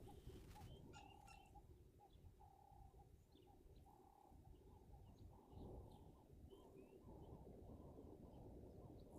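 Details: Emerald-spotted wood doves calling on a windy morning, 27 January 2023: soft, low, hollow coos repeated at uneven spacing under heavy rumbling wind gusts, with thin chirps from other birds scattered through.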